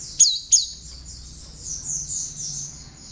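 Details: Tame captive great tit raised by hand, singing a song filled with prinia-like phrases, kept for tutoring other songbirds. Two loud sharp high chips open, then a run of rapid, repeated high slurred notes fading out.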